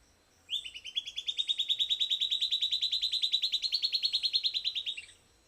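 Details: After playback, a Silvered antbird sings a sustained rapid trill: dozens of buzzy whistled notes delivered at an even pace, rising slightly in pitch through the middle, then ending abruptly with a brief downward slur; quiet background otherwise.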